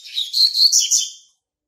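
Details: Territorial song of a young male double-collared seedeater born March 2019: one loud, rapid, high twittering phrase of chirpy notes lasting just over a second, then silence.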